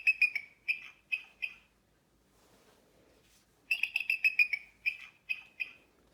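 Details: A Bald Eagle (Haliaeetus leucocephalus) gives high, thin, squeaky chittering notes in two quick bursts, each a stuttering run of piping calls, separated by a short quiet pause.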